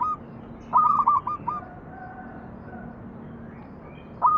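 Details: Local zebra dove cooing as a lure for other doves to sing: one clear phrase of quick stepped notes, then a quiet gap with low hum, and the start of another phrase at the very end.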